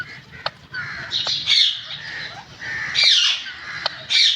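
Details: Green parrot making loud, harsh, screechy squawks in bursts about every second and a half, with sharp clicks between them.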